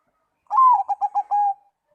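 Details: Zebra dove song that makes other doves reply: a falling coo, a string of four quick bubbling notes, then a level trailing coo, clean with no other sounds.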